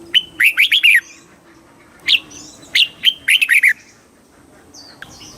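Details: Thai red-whiskered bulbul singing a southern master-style phrase, used to stir up birds and coach young birds. A rapid run of bright, bubbly notes, a lone note, then another chattering warbled phrase, with faint high whistles behind.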